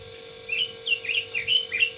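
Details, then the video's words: Red-billed leiothrix, known locally as robin, singing a quick run of bright, slurred warbling notes in short phrases, with a steady low electrical hum underneath. "Suara burung robin"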